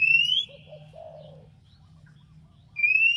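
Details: Oriental magpie-robin (kacer) provoking a rival: a loud rising whistle opens, followed by a few soft low warbled notes and a pause, then the same whistle returns, with a low droning hum throughout.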